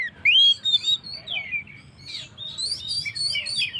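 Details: Vigorously singing Oriental magpie-robin, played to stir up stressed birds. A loud, clear upslurred whistle opens, then softer warbled phrases and a burst of high, rapid twittering notes.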